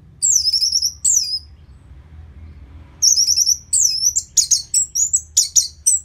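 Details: Orange-headed thrush song, played as a lure so birds turn livelier and more aggressive after moulting. Dense, high, warbling phrases with quavering whistles break off, then return as a string of rapid, bright notes.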